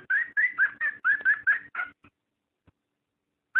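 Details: Cockatiel mating sound, played to stimulate breeding: a run of about seven clear, warbling whistled phrases at a steady mid pitch, packed closely together. It stops abruptly, goes quiet, then one more phrase begins at the end.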